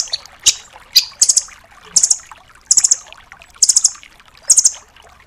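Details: High, quick-fire trills from a rambatan doraemon nuthatch, full tembakan style for songbird tutoring: a couple of sharp single chips, then five clipped clusters of three to five notes about every 0.8 seconds.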